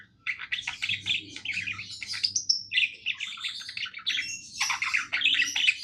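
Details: Pet budgerigar singing happily, a lively nonstop twittering warble of buzzy chirps, squeaks and short whistles, broken by one brief pause, over a quiet indoor hum.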